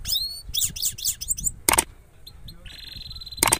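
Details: A European goldfinch from Parachinar sings a quick run of bright, twittering high notes, then holds a thin steady whistle; two sharp knocks or clicks break in.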